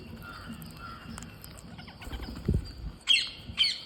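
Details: Green parrots being fed: soft background chatter, then two sharp, grating squawks close together near the end, with some thumping handling noise.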